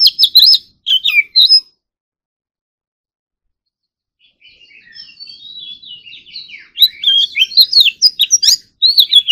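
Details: Oriental magpie-robin in morning singing practice, competition-style song: loud bursts of sweet, twisting whistles and sharp clicks, a pause, then a soft warbled passage building into rich, rapid whistled phrases.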